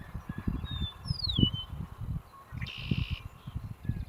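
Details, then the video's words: Eastern meadowlark giving a bright descending whistled slur followed by a harsh buzzy note lasting about half a second, over steady low rumbling background noise. "Suara Burung Eastern Meadowlark"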